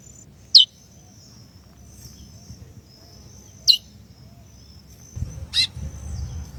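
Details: Female chestnut-bellied seed-finch calling to rouse the male: three brief, piercing downward-slurred chips a few seconds apart, the last one rougher, against a steady faint high tone and some low rumbling noise.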